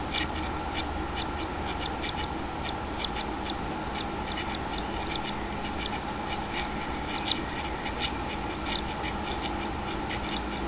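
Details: Common kingfisher at the nest with a one-day-old chick, recorded on 6 July 2016; rapid, high, scratchy ticking notes repeated densely over a steady low hum.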